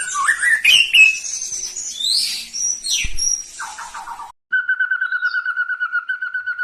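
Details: Medan-type white-rumped shama in full song, mixing high sweeping whistles and sharp rising notes. After a brief cut comes a fast, even series of repeated chattering notes.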